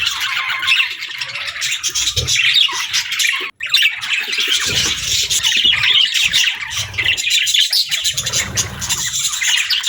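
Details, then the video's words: Pet budgerigars singing and chirping in steady, busy warbles of scratchy high notes and squawks, with a short break partway through and faint low knocks beneath. "Budgie Singing & Chirping Sounds | Relaxing & Happy Parakeet Sounds"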